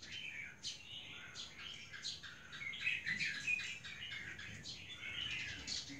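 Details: Albino female red-whiskered bulbul in a busy stream of quick, chirpy, whistled notes, about four per second, uneven and bright, with short sharp squeaks mixed in.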